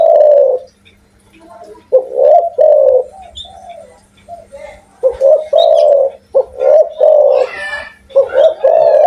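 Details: A spotted dove in energetic voice repeating deep, throaty coo phrases, several bursts of notes separated by short pauses, with a quiet low hum in the background.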